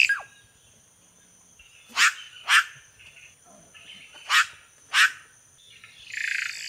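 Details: Red-rumped cacique (Cacicus haemorrhous) giving sharp explosive notes in two pairs, each pair about half a second apart, over a faint high steady tone, ending with a rough hissing burst.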